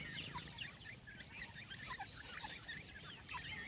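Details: Brood of partridge chicks giving scattered high, falling peeps, a few per second, some clearer notes standing out against a soft hiss and low murmur.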